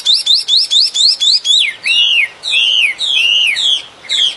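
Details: Bird singing outdoors: six rapid, evenly spaced rising chirps, then longer swooping whistles that curve down then up, each roughly half a second, in a clean, loud series.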